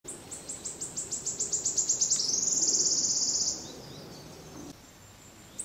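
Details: Wood warbler singing in Brussels, Belgium, in June 2011: high ticking notes accelerate into a shivering, buzzy trill that ends after about three and a half seconds, followed by quiet background.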